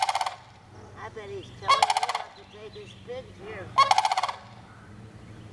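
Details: Repeated loud, rattling, bugled calls from a sandhill crane roughly every two seconds, with softer, lower, gurgling notes in between.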